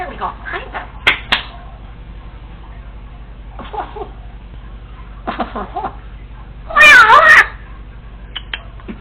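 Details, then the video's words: Female Congo African Grey parrot talking to herself while alone indoors, rehearsing phrases and copied sounds: soft mumbled speech-like bits, then a loud warbling, wavering burst near the end, with a steady low hum throughout. "African Grey Parrot recorded talking to herself when no one was home!"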